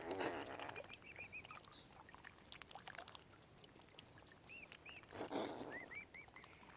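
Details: Young mute swan cygnets at Lough Neagh, Ireland, Oxford Island Nature Reserve, utter clusters of high arched peeps between two splashing water sounds, the calls coming in quick groups of two or three.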